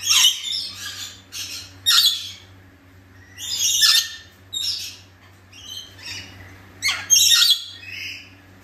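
Harsh, grating screeches from a scaly-breasted lorikeet, delivered in short bursts every second or so, over a steady low hum.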